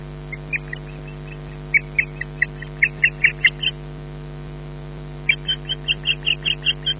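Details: Nesting female osprey in Scotland berating her mate as he arrives for mating with no fish, sharp high yelping whistles in quickening runs, some notes doubled, with a short lull before an insistent even series, steady low hum beneath.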